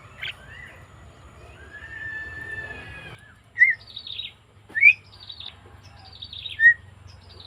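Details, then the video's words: Javan myna, 20 May 2024: a long level whistle gives way to sharp, rising whistled notes and buzzy high chatter, three loud calls roughly a second or more apart, over a soft low hum. "Suara Burung Jalak Kebo"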